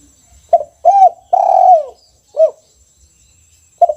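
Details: Caged spotted dove, 'kuk 1' song type, singing vigorously: a soft opening coo, an arched note, a long falling coo, a short arched coo, then another quiet coo after a gap.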